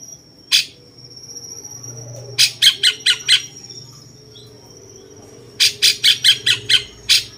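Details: Cucak cungkok bulbul sounding like a jenggot, a master recording for tutoring champion songbirds; one rasping note, then two quick bursts of five to six scratchy, chattering notes with a thin whistled tone at the start.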